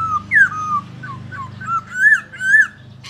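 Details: Masked laughingthrush, a songbird said to live mainly in valleys, giving short clear whistles: a quick rising-then-falling slur, then a string of mid-pitched whistled notes, some sliding upward, over a steady low hum.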